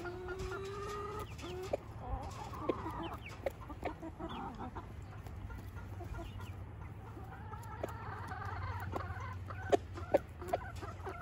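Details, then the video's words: Rooster in Switzerland calling hens to show them what to eat: low, harmonic clucking notes at the start, a quieter middle of clicks and pecking taps, then a run of rich, drawn-out clucks near the end over steady low hum. "Der Hahn zeigt den Hühner was sie essen sollen"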